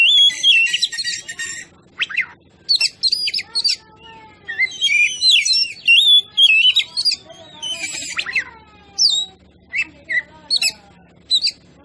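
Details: Oriental magpie-robin singing a lure song meant to provoke other birds: a dense, loud run of varied whistles, rapid trills and harsh buzzy bursts, then shorter spaced phrases toward the end.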